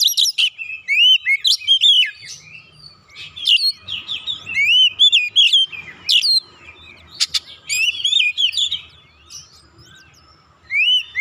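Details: Persistent, excited oriental magpie-robin song meant to provoke other birds: long runs of loud looping whistles, sharp chirps and harsh scratchy notes in repeated bursts, with a pause near the end.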